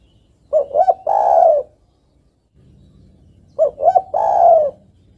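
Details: Female spotted dove calling the male, the call used as a decoy for catching birds: a pair of brief coo notes followed by a longer rolling coo, given twice about three seconds apart over a faint low hum.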